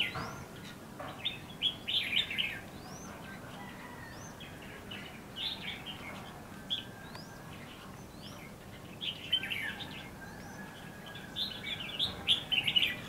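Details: Red-whiskered bulbul acting as a decoy to draw wild birds at a trapping site in bushes, Lương Sơn, Hòa Bình, Vietnam. Scattered warbled phrases come between repeated thin rising whistles from another bird. There is a steady hiss throughout.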